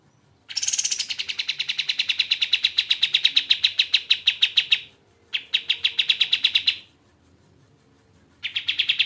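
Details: Bird song offered as a tutor recording for training cage songbirds such as magpie-robins: long rapid trills of evenly spaced buzzy notes, steady in pitch, in two extended bursts separated by short pauses, with a third trill starting.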